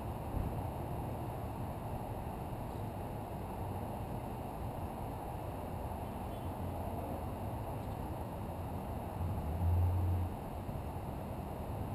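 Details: A steady low rumble of engine or wind noise runs throughout, with no animal calls.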